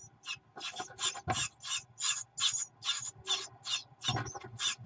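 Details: Great tit nestlings in a nest begging as their mother arrives with food, on a warm June day: harsh, rasping hiss-like bursts repeated about two to three times a second, with faint low knocking and rustling underneath.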